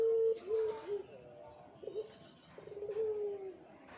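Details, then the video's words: Well-fed Barbary dove young of the pelung type, kept as cage birds. They call with short, level, mid-pitched cooing notes in two bursts, separated by quieter gaps with faint background voices. "bikin rame sudah pada kenyang anakan puter pelung"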